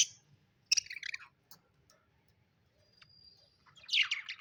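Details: Budgies kept as pets, chirping happily: a short harsh note, a burst of rapid twittering chirps, a quiet gap holding one thin steady whistle, then a loud scratchy warble at the close.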